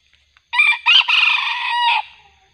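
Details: A wild red junglefowl, described as aggressive and lured during trapping, gives a single harsh, broken crow lasting about a second and a half, which ends abruptly with no other sounds behind it.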